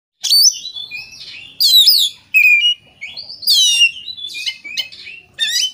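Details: Oriental magpie-robin in full vigorous song, used as a lure to prompt other magpie-robins to sing: loud bursts of whistled, sweeping and rapidly trilled phrases, some buzzy, separated by short pauses.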